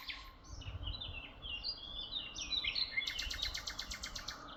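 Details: In Tuzla, birds chirp in varied, wavering twitters before breaking into a rapid string of evenly repeated high notes, with low background rumble throughout.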